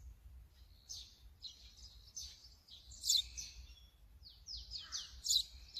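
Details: Brown-eared bulbul captured on a Sony camera with 200-600mm lens: sparse, sharp, piercing notes, several sliding downward, spaced irregularly with two louder shrieks near the middle and end, against a quiet low rumble.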